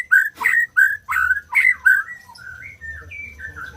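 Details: White-rumped shama singing a few loud, rich whistled notes in quick succession, each with a clicking start, then trailing into quieter, varied slurred whistles. A low hum sits underneath.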